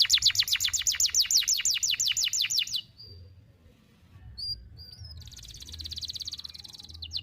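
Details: Tutor song of a canary for training young birds to sing: a fast run of bright down-slurred notes for nearly three seconds, a short hush with a thin whistle, then a buzzy rapid trill.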